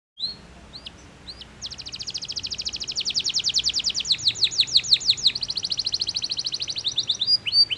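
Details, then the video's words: Powerful canary song meant to stimulate rival singers: after a few scattered high notes, a long fast trill of rapid repeated chips begins, shifts into swooping downslurred notes, then returns to a rapid rattle. "POWERFUL, CANARY SINGING STIMULATES THE SOUNDS OF OPPONENTS"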